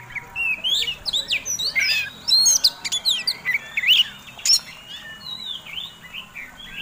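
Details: Fighting song of an Oriental magpie-robin, used to provoke rival birds. Loud, clear whistles, upward and downward slurs and quick chirps pour out rapidly for about five seconds, then thin to a few softer whistled notes.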